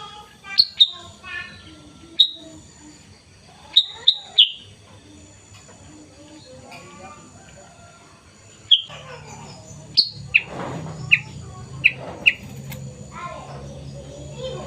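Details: Morning chirping of a black and yellow sooty-headed bulbul, recorded 16 September 2021: scattered sharp high notes in short bursts with gaps, several in quick succession near the end over a faint low background hum.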